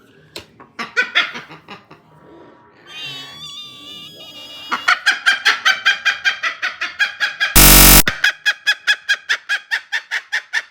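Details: Angry pet cockatiels calling: fast rasping harsh notes, about two and a half per second, with a brief whistled phrase early on and a sharp loud click partway through.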